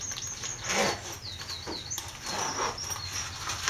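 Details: Avocet at Blacktoft Sands RSPB Reserve in June 2009 giving short, high, fluty notes in quick bursts, some slightly arched, over rushing bursts of wind or water noise.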